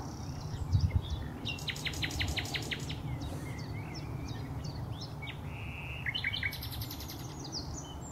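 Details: Song of a nightingale at Highnam Woods, Gloucestershire, May 2012: a fast stuttering series of repeated notes, then a short whistle and another rapid high burst, over steady low-frequency noise.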